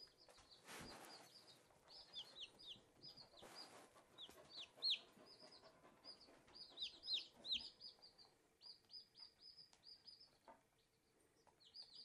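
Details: Four newly hatched Silkie chicks playing: a steady stream of high, thin peeps, many overlapping and some sliding downward, with a couple of loud rustling knocks early on.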